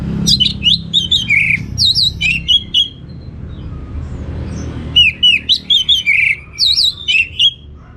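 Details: Orange-headed thrush singing loudly in gacor style, with rich varied material: looping whistled phrases dropping in pitch, repeated in fast bursts, a quiet gap around four seconds, then a similar run resumes.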